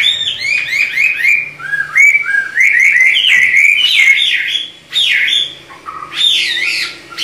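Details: Chinese hwamei (Garrulax canorus) pair in a duet, caged songbirds: loud, varied whistled phrases in rapid succession, slurred rising and falling notes and quick trills, with a faint low hum beneath.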